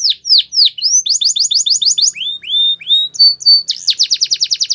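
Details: A Belgian canary delivers falling whistles, a quick rattling series, smooth rising slurs and a bright rapid trill, in a lively varied song.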